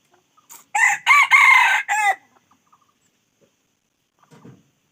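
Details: Red junglefowl crowing: one loud, harsh multi-part crow lasting about a second and a half, ending abruptly, followed by near silence and a faint low rustle.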